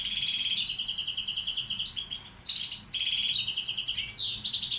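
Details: Balcanica goldfinch tutor singing: extended buzzy trills of fast repeated notes broken by a brief pause, then more trilling and a steep falling slur near the end, loud and clear.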